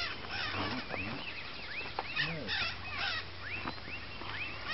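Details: Northern red-shouldered macaw flock calling continuously, a tangle of overlapping screechy upslurred and downslurred squawks, some short and clipped, others drawn out, layered over steady low background hum.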